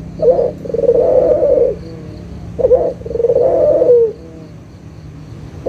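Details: Lure call of a lively local puter dove for prompting quiet doves to coo: two low phrases, each a brief opening note followed by a drawn-out rolling coo, with a faint hum behind.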